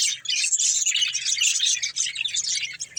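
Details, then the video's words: Budgerigars chatter nonstop while playing and eating, a busy mix of high squeaky chirps and scratchy warbles with no pauses, plus a faint low hum underneath. "Cute Budgies Chirping Sounds"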